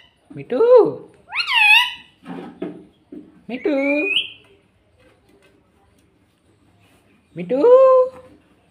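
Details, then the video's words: Green ringneck parrot kept as a pet, repeating "mummy" and "mitthu" indoors: four or five clear, pitched syllable groups with rising inflections, then a long pause and one final word. "Mummy mummy bolne wala tota - Talking parrot - Mitthu mitthu"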